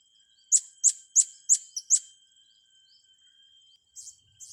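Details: Blue-crowned hanging parrot kept with young birds for training: a run of five shrill, high chirps at a steady pace with a short extra squeak, then quieter notes after a gap.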